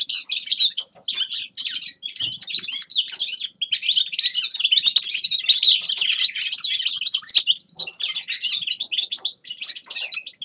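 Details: Grey-crowned goldfinch singing a dense, unbroken high twitter of rapid chirps, trills and tinkling notes that run on without pause for ten seconds.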